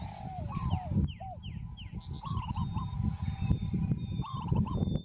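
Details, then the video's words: A Peaceful Dove gives soft, rolling mid-pitched coos in short bursts about every two seconds. Thin, high downslurred notes from other birds and a heavy low rumble are also heard. "Peaceful Dove - นกเขาชวา"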